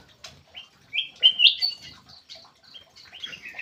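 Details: Black-crested bulbul lure call: rapid, chattering bursts of sharp chirps and short whistled slurs, clustered and uneven in rhythm, with brief soft flutter-like noises between notes.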